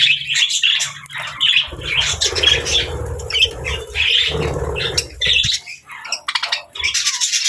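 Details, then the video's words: Budgies kept with lovebirds give short, repeated squeaky chirps in separate bursts about every half second. A steady low hum and some rustling run through the middle. "Funny Budgies Love Birds Chirping Sounds"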